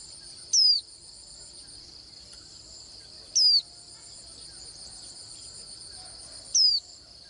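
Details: A Swinhoe's white-eye repeats a single high, thin, falling whistle three times, roughly every three seconds. Loud continuous insect trilling runs underneath throughout.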